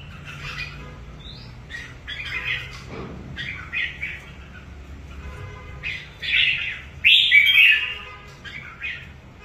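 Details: Wild-caught red-whiskered bulbul kept for competition, being prepared for an upcoming singing contest, gives bright chirping and warbled phrases in short bursts, louder and richer toward the end, over a low background hum.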